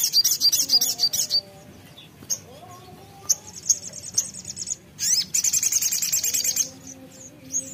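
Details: Ruby-throated sunbird lure song: two bursts of quick, very high, metallic chips, each over a second long, separated by quieter notes, with soft lower sliding whistles in the background.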